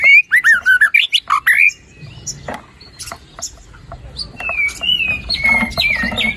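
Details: White-rumped shama song for stimulating a reluctant singer: rapid series of about ten looping whistled notes, a quieter gap, then long level whistles and trills.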